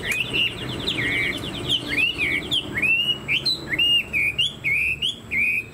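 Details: Caged Chinese hwamei with a fanned tail, kept as a songbird, singing a loud run of clear whistled phrases: quick repeated rising notes, then looping slurred whistles falling and rising again, repeated about every half second.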